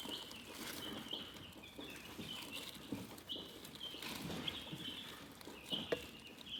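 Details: Chickens chirp softly and continuously in a high wavering band, with a few clearer peeps and light tapping sounds.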